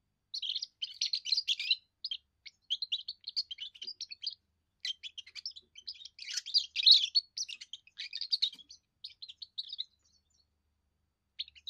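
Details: Young European goldfinch delivering its first song, a territorial and courtship display: long, steady flow of fast high twitters and buzzy trills, intensifying around seven seconds, fading into sparse notes toward the end.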